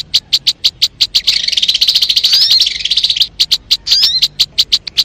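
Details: Sogon bird lure song: evenly spaced high, sharp chip notes about four per second, interrupted by a two-second burst of dense twittering and a few sweeping whistles.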